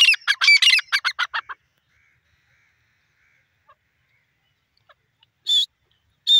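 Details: Grey francolin, known locally as desi teetar: a fast burst of harsh, broadband notes for about a second and a half, then quiet, then two short loud bursts near the end.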